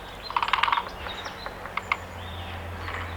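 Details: Great spotted woodpecker producing a quick burst of hard, chattering clicks followed by a few separate sharp notes, with soft whistles from other birds and a low background hum.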